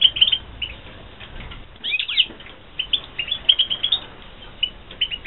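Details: Caged European goldfinches, breeding season 2016, chattering in fast, tinkling high twitters almost without pause, with a tangled flurry of notes and wing flutters around the second mark.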